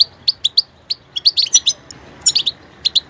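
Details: Goldfinch song: bright, high twittering chirps, first spaced singly a fraction of a second apart, then bursting into quick clusters of tinkling, slurred notes before a few last spaced chirps; no other clear sounds.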